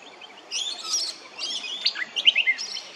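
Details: Brown honeyeater at Hervey Bay, Queensland, giving a short run of warbled, sliding notes followed by quick bright chirps.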